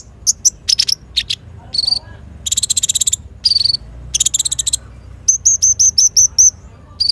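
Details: Energetic sunbird singing, recorded for luring and tutoring other caged birds: clusters of high sharp chips, two rapid buzzy trills, then a run of about seven clipped high whistled notes with downward flicks.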